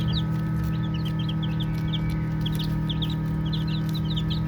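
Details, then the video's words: Several baby chicks peep in short, high, slightly falling notes, scattered irregularly and often paired, while the chicks play. A constant droning hum fills the background. "Baby Chicks Chirping Sounds"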